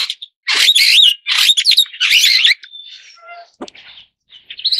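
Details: Superb starling chattering in dense bursts of rasping, warbling notes, then a few thin pure whistles and softer twitters before a rising whistle at the end.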